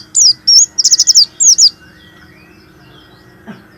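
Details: High-pitched warbling white-eye phrase used to encourage reluctant white-eyes to sing: a quick series of wavering, trilled high notes lasting about a second and a half, followed by near silence and one soft click.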